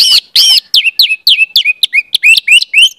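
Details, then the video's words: Orange-headed thrush song for teaching young birds: two harsh buzzy notes followed by about ten loud downslurred whistles repeated roughly every quarter second. "pancingan anis merah, trotol dengarkan ini pasti jadi calon gacor"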